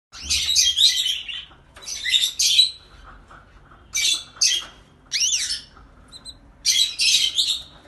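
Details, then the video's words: Canary singing in bursts of high, rapid twittering and trilled phrases, about a second each, with short pauses between; one phrase holds clear rising-and-falling sweeping whistles, and a quiet low hum runs underneath. "Very beautiful Canary singing"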